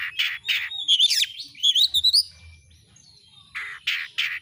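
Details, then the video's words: Oriental magpie-robin singing as a tutor recording for caged birds: a few raspy notes, then sharp rising whistled phrases and quick chirps, a short quiet gap, and more rough buzzy notes at the end. "Masteran burung Kacer AUDIO JERNIH BUAT ANGKAT EMOSI AGAR CEPAT ON NGOBRA,Kacer gacor"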